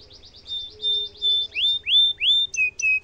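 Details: Cengkok mewah song of a domestic canary: a rapid soft rolling trill, then three long upswept whistles and short clipped notes, with a faint steady low tone behind.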